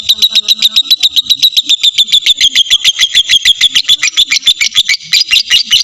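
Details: Full ngekek trill of a lovebird, played as a lure so other lovebirds sing longer: a fast, unbroken run of sharp, high chirping pulses that grows slightly harsher toward the end.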